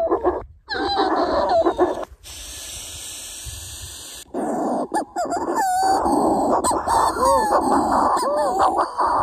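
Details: Manx shearwater raucous, crowing cackles rising and falling in repeated bursts over steady wind, played back at occupied island burrows for a census correction factor; part may be a real bird replying rather than the playback.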